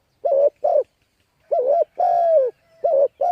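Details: Spotted dove used as a lure for wild birds, giving low throaty coos in quick pairs followed by a longer slurred coo, repeated with brief gaps.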